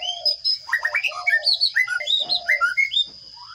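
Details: Sparrow chicks in a nest box being fed by a parent, captured on a camera set at the nest: rapid, bright chirps tumbling over one another, a dense burst of high twittering notes, over a steady high whine.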